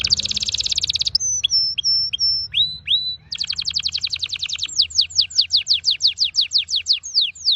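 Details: Vibrant orange-red red factor canary singing: a dense fast trill, a series of flat high whistles, a couple of rising whistles, then a rapid buzzy trill flowing into steadily repeated descending sweeps.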